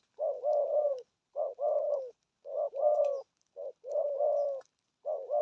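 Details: Spotted dove delivering 'thổ âm' style 'gù thúc' coos: steady phrases of a short note followed by a longer, burry, slightly falling coo, repeated about once a second.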